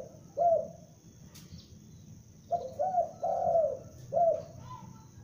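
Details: Young spotted dove kept as a lure bird, giving loud mellow coos: one short coo, then a pause, then a phrase of two quick coos, a long drawn-out falling coo and a final short coo, over a faint background hiss.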